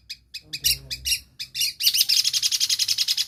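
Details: A long-tailed shrike copying other species opens with a few harsh, buzzy chirps, then breaks into a rapid, rhythmic chattering trill.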